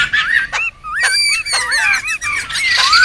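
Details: Noisy laughingthrushes recorded in the wild for luring and tutoring: short bursts of bright looping whistles broken by brief pauses, ending in a loud harsh rush of calls.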